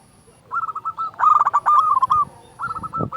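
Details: Zebra dove, local perkutut meant to stir other doves to sing, utters fast strings of short hooked coos in two overlapping phrases, followed by a brief low thump near the end.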